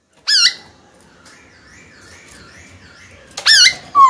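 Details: White-cheeked laughingthrush in a cage, singing to provoke a rival: a sharp upslurred whistle, faint distant whistling in between, then another loud rising whistle and the start of a third.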